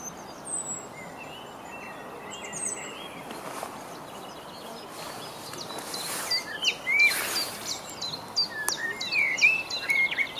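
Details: Male common blackbird singing on 5 June 2015 in Rombergpark botanical garden, Dortmund: short fluty whistled phrases broken by thin, high squeaky twitters, every second or two, over a steady outdoor hiss.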